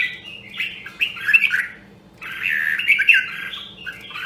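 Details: Nam Đông, Huế red-whiskered bulbul in training song: two dense, slightly harsh warbled passages of blurred whistles, separated by a short pause, over a low room hum.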